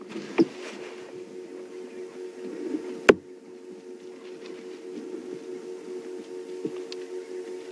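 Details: A quiet steady hum fills the background, with a few sharp clicks and knocks and no animal sounds.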